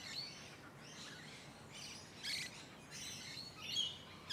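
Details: Musk lorikeets in leafy suburban Hunters Hill, Sydney, Australia, recorded up close in late November or early December 2020. Short, harsh, high-pitched screechy bursts come in quick succession, fairly soft against a quiet outdoor background.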